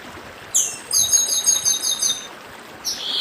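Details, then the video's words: Chestnut-bellied seed finch of the Northeast in dedim song: an opening slurred whistle, a fast repeated high-note series, then a final whistle, beside a flowing stream. "Papa Arroz Dedim com Som de Riacho (Papa arroz do Nordeste)"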